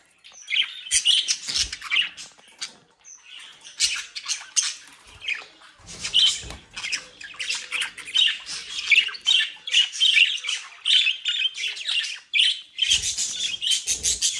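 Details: Mischievous young budgerigars raised in the Den Haag region, Netherlands: long, dense stretch of harsh squawks and rapid high chirps from several birds, with occasional low knocks and rustling.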